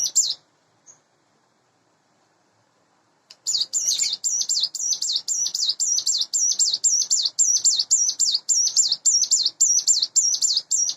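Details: High, thin chattering song from a hand-raised caged Sunda bush warbler aged about eight months, in the morning. A brief opening note, three seconds of quiet, then a long steady run of sharp, looping notes, nearly four per second.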